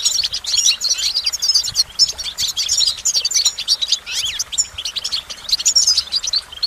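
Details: Lively goldfinch song of rapid chattering twitters and sharp high chirps, with a few downward-slurred notes mixed into the stream, sung almost without pause.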